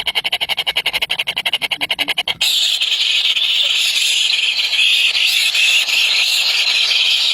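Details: Hungry chicks, three baby birds, begin with rapid rhythmic high chips about ten per second, then break into a steady, piercing, sustained squealing chorus.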